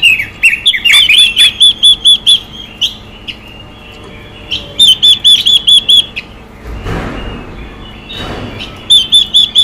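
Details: Chinese hwamei hen, singing to stimulate males, delivers repeated series of loud pure whistles, about eight per burst, opening with twisting slurred notes; a brief noisy rustle falls between phrases.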